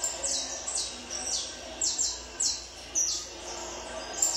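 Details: Peruvian saffron finch trained for song competitions, giving clear high downward-slurred notes spaced about half a second apart, then a quieter stretch near the end.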